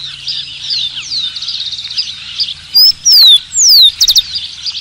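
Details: Rufous-collared sparrow song: a background chorus of thin, chattering small-bird notes, then loud clear whistles, one rising and two sliding downward, ending in a short, fast trill of a few notes.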